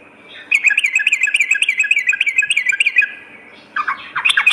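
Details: Sooty-headed bulbul heard at night in a therapy recording for kept birds: a long, dense, rolling run of quick warbled notes lasting about two and a half seconds, followed by a short burst of lower, choppy notes.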